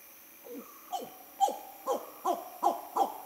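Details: A curious Spot-bellied eagle owl behind a photography hide near nesting hornbills in a southern Indian jungle gives seven short, mid-pitched, downward-sliding hoots about every half second, growing louder through the series over a quiet background.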